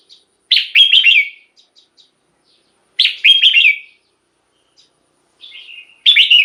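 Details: Caged red-whiskered bulbul song, played to rouse other caged bulbuls: loud liquid phrases of four or five slurred whistled notes, repeated about every two and a half seconds, with soft ticking notes between.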